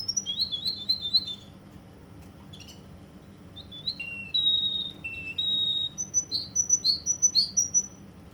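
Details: Russian canary from Kuwait opening with a quick burst of high chirps, pausing, then giving scattered whistles and steady held tones before ending in a rapid string of sharp high trills.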